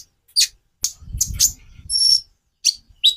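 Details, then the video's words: Konin song variation: sharp high chirps and one long, thin whistled note over a low rumbling noise. "Variasi kicau burung Konin"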